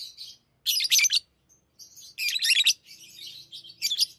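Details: Lovebirds kept as tame pets, busy with rings, producing loud grating bursts of high, buzzy chatter, interspersed with thinner whistled notes and softer twittering.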